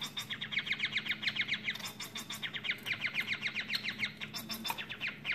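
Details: Caged male society finch doing his full courtship song and dance toward a female sings a long run of rapid, buzzy, scratchy high notes in quick chattering phrases, with a faint hum underneath.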